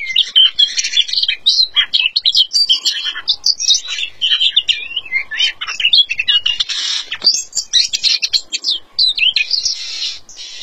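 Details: Oriental magpie-robin without feathers in sustained, vigorous song, a long, varied stream of rapid chirps, harsh buzzes and short whistles lasting over ten seconds without a real break.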